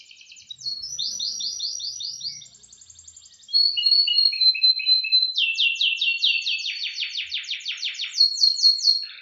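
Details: Thursday-morning song training of a canary, 18 December 2025: varied trilled tours, buzzy rolls, a held whistle, descending chirp runs, then a loud fast trill series and a high whistled finish.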